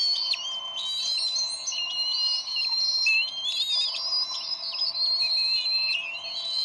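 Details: Bald eagle parents bickering over a fish at the Decorah nest on 30 May 2012; a loud, steady stream of shrill, rising and falling whistled squeals overlaps throughout.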